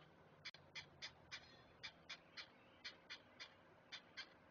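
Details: Great blue heron chicks during feeding at a Chesapeake nest, caught by a live webcam: crisp, high ticking notes, evenly spaced about three a second, over a quiet background.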